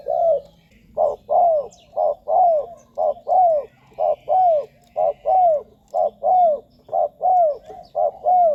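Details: Spotted dove decoy call for attracting wild doves at ground, branch or trap-cage setups. Rhythmic series of mellow downward-curving coos in close pairs, evenly spaced and repeated about once a second, with a quiet low hum underneath.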